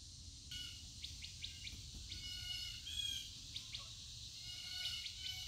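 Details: Birds recorded outdoors give a busy mix of short chirps, quick downward-sweeping notes and a few harsher squawks, several overlapping, over a steady high insect drone and low rumbling background.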